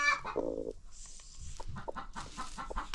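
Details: Free-range farm chickens with new baby chicks: a low harmonic cluck opens, then scattered short clucks and high chick peeps over a noisy farmyard background.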